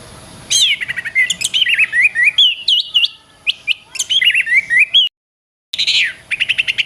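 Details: Oriental magpie-robin song meant for training other songbirds: long wavering whistled phrases sliding up and down, mixed with quick chips and warbles, broken by a brief dropout.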